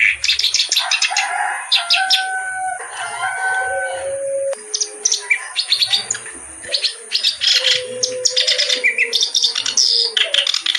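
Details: Kerak basi reed warbler singing at length: fast scratchy chatter interleaved with clear whistled notes at differing pitches, some held briefly, in a rich, restless medley.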